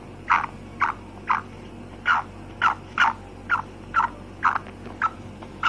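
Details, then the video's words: A female black francolin repeats short raspy notes, roughly two each second at a slightly uneven rhythm, against a low droning background. "Kala teetar ki maadi ki awaz// voice of black francolin female"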